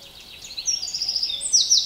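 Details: Eurasian wren recorded in Niezgoda, Poland, on 25 June 2022, in a brief burst of song: very high, fast, tumbling notes running into a dry rattling trill, over faint background hiss.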